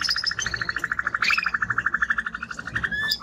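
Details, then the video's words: Timbrado canary, male and strong-voiced, producing a steady, evenly pulsed trill of about ten notes per second at one pitch, with a couple of high chirps over it. "Canary singing Strong Bird - ذكر كناري تغريد نار"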